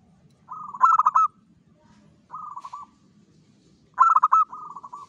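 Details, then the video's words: Zebra dove, a local bird, cooing in a lure recording meant to draw in other zebra doves: three rolling phrases of rapid pulsed notes, loud stuttered coos mixed with softer trailing trills, about a second apart. "PANCINGAN SUARA PERKUTUT LOKAL GACOR PEMIKAT SEMUA JENIS PERKUTUT"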